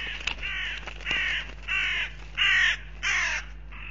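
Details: Hooded crows fighting at a goshawk nest camera in Riga, Latvia, on 10 April 2021: a series of harsh, hoarse caws in evenly spaced bursts of about half a second, roughly five calls, with faint background hum.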